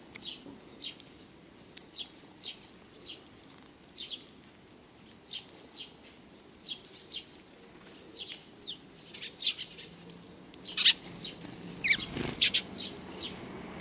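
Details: Sparrows coming to be fed on the front approach of a Tenmangu shrine, 29 May 2020: short bright chirps repeated irregularly about every second, growing denser and overlapping near the end with a brief flutter and low rumble.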